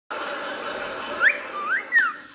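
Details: A male cockatiel gives short swooping whistles, rising then falling, while courting a female.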